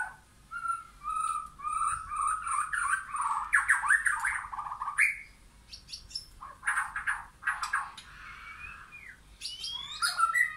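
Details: White-rumped shama, wild and caged birds together in a backyard forest; a long run of clear rising whistles grows into a dense warbling phrase, followed by sharp clicks and further fluty notes.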